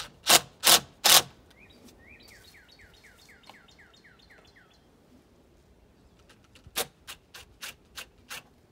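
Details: Northern cardinal (Cardinalis cardinalis) sings a quick run of about eight clear, downslurred whistles between loud scraping and rasping bursts from a concrete ceiling pour on a storm cellar; a viewer says it wakes them every dawn.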